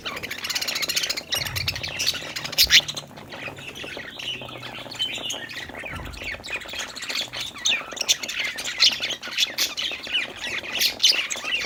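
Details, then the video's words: Happy budgerigars at play, a lively flock chatter of rapid high chirps, squeaks and scratchy warbling notes that overlap constantly, with a few louder squawks near the start. "budgie chirping sounds|happy budgies playing|cute budgie sound"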